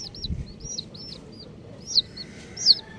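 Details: Colourful baby chicks give shrill, rising-then-falling peeps in small clusters. Two louder piercing cheeps stand out near the end against a quiet background.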